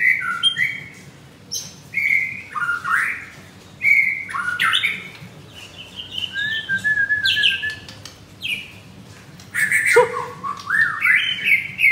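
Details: White-rumped shama kept in a cage at a bird shop in Kemayoran, Jakarta, singing at late morning: clear whistles, quick slurred runs and harsh chattering bursts, delivered in separate bouts with short gaps.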